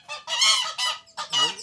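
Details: A domestic gander at a countryside residence with many birds in El Carito, Lorica, Córdoba, jealous over a female, gives four loud, harsh, brassy honks in quick succession, the last two more drawn out.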